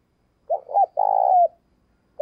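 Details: Decoy spotted dove cooing to spur another bird to coo: two quick hooting notes followed by a long, steady, mellow coo that slurs downward at the end, then the next phrase begins.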